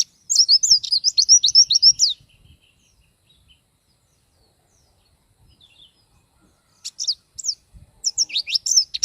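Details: Oriental white-eye, a lively pleci bird singing full song for training other birds: rapid high twittering phrases of sweet, sliding notes in a two-second burst, a pause, then another busy warbling run.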